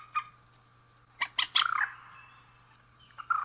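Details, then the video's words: Rail pair, male and female, giving a few harsh, explosive notes followed by a short grating rattle, then scattered single squawks with quiet gaps. "Suara Burung Mandar Jantan dan Betina"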